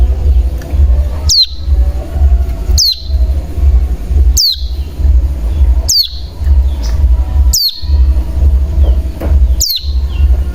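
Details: Bar-winged prinia lure call for prompting caged birds to sing: single loud, piercing notes that drop sharply, spaced about every one and a half seconds over a steady deep hum.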